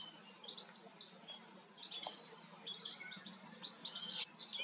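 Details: Common starling in the Eifel, Germany, singing during preening; quieter run of high whistles, squeaky slurs and clicks, irregularly spaced, with soft background hum.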